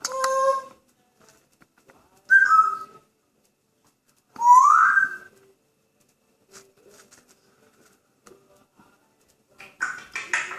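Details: Pet grey parrot in a good mood, indoors, giving three separate clear whistles a couple of seconds apart, the middle one sliding upward, followed by quiet gaps and a short burst of rustling noise at the end.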